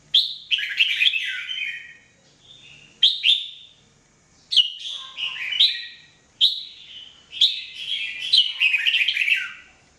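A red-whiskered bulbul sings short, bubbly whistled phrases, rising and falling, about every one to two seconds, with a brief warbling run at the end.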